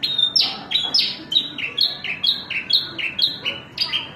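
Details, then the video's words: Branjangan, the Javan bush lark, giving quick high whistled notes that drop in pitch, several per second in a lively, slightly uneven string over a quiet background. "New Branjangan bird excelent"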